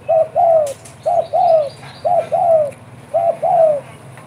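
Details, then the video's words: Spotted dove, known as derkuku, cooing busily in 'bekur' fashion: four two-part phrases about once a second, a brief clipped note then a drawn-out arching coo, with a faint click in between. "derkuku gacor bekur bekur"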